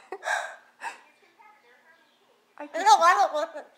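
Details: Yellow-naped Amazon parrot that speaks Spanish and English while watching TV: short syllables, then a longer warbling, wavering talk-like phrase, with a person speaking nearby.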